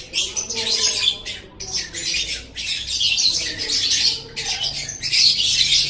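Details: Kept lovebird singing for a masteran tutor recording: loud, harsh, high-pitched chatter in long scratchy runs, broken by brief pauses about every second, with a faint low hum underneath.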